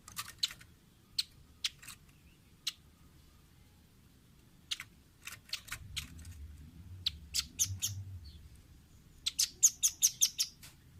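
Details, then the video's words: Training recording for caged birds of a velvet-fronted nuthatch: sparse sharp high ticks across a quiet stretch, a soft low rumble midway, then a closing rapid run of about seven bright, shrill notes. "Masteran Ampuh burung rambatan paruh merah/masteran audio rambatan jernih mudah di tiru"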